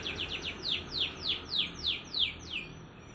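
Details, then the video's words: Canary master song for inducing lazy canaries to sing: a few quick chips followed by evenly spaced, loud descending whistled sweeps, roughly three per second. "Kenari AF Speed Rapat Cengkokan Unik Cocok Untuk Pancingan Kenari yang Malas Bunyi"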